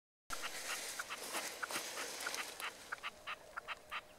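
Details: Common nightingale singing, recorded 12 March 2015: rapid series of short, hard broadband notes, some doubled, with brief clear tones near the middle, repeated irregularly over steady background hiss.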